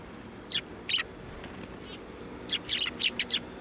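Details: Sparrows coming onto a hand for food at a Tenmangu shrine, 1 January 2024; two short chirps early on, then a quick run of four or five bright tweets after a brief pause.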